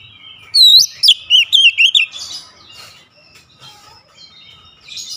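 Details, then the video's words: Kacer, the oriental magpie-robin, delivering a rapid burst of six or seven ringing whistled notes with zigzag pitch bends, then falling into soft scratchy twitters and near quiet. "KICAUAN KACER BUKA PARUH LEBAR TEMBAKAN PEDAS"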